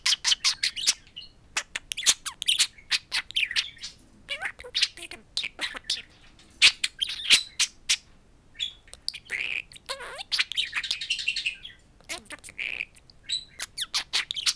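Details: Pet budgerigars, two talking parakeets speaking to a mirror indoors, keep up long rapid chatter of clicks, buzzy warbles and squeaky chirps, with quieter mumbled phrases in the middle.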